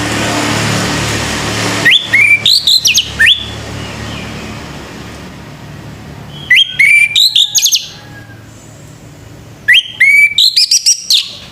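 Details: Orange-headed thrush male singing in the morning: three separate phrases of rapid rising and falling whistles, each under two seconds, over a noisy low rumble at the start.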